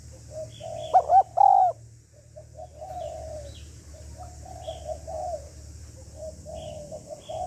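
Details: Spotted dove hen calling to excite a male. Early on come three loud bowed coos, followed by a long stretch of soft, low repeated coos over a faint low hum.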